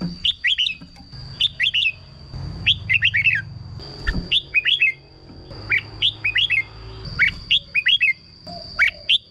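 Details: Caged red-whiskered bulbul singing to rouse other birds: short bubbling three-to-four-note whistled phrases spaced about a second apart, over low rumbling background noise and a faint constant hum.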